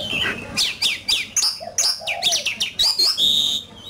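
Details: Caged oriental magpie-robin in a singing competition, fierce fighting song: varied loud whistles, sharp downslurred notes and rising chips tumbling quickly, ending on a long steady high whistle.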